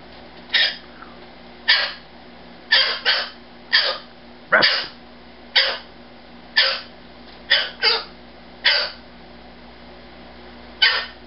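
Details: A rescued male umbrella cockatoo, a former breeder bird, gives about a dozen harsh, raspy screeches, roughly one per second at uneven intervals, over a low indoor hum, cranky and offended after his owner's wife went to bed without saying good night.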